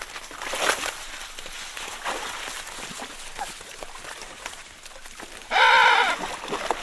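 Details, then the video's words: One of 25–30 Emperor penguins moving in and out of a sea-ice hole made by a Weddell seal gives one loud, harmonic, bleating call near the end, quavering slightly in pitch, over steady hissing wind. "Emperor Penguin / 25-30 Birds In And Out Of Sea Ice Hole Made By Weddell Seal. Good Calls At 2M50S"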